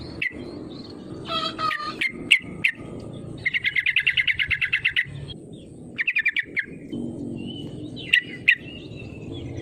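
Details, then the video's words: Sooty-headed bulbul call used as a lure to make rivals sing: a long rapid chattering series of about fifteen notes, shorter bursts of five and six notes, and a few sharp isolated notes over low hum. "SUARA PANGGILAN TRUCUKAN GACOR MENEKAN LAWAN AGAR IKUT BUNYI PANCINGAN TRUCUKAN AGAR BUNYI EMOSI"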